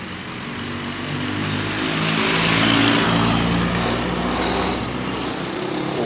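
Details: A motor vehicle passes, its engine droning and swelling to a peak midway before fading, with no animal voice audible.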